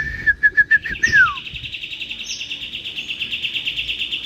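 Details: Sooty-headed bulbul used as a tutor voice for training white-rumped shamas: five short, clear whistled notes in quick succession, then a descending slurred whistle, followed by a steady, rapid, buzzy trill running to the end.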